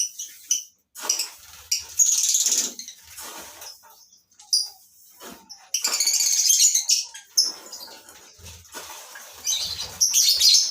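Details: Lovebirds in a colony breeding system keep up noisy, overlapping shrill chatter, with piercing bursts and short squeaks coming several times per second, broken by brief gaps.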